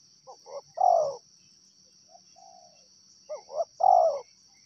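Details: A wild spotted dove repeats a three-note coo, two brief upswept notes then a long falling one, with a quieter drawn coo from another dove in the gap and a steady shrill insect background.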